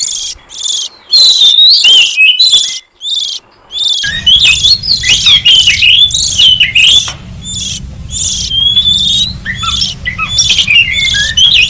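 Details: Oriental magpie-robin lure song for wild birds: quick varied whistles, slides and rasping notes in busy phrases, with a steady low hum entering partway through.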